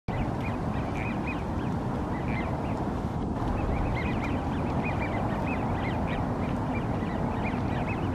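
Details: Wigeon calling at Green Lake: many short whistled notes that rise and fall, scattered through the clip from several birds, over a loud, steady low rumble of background noise.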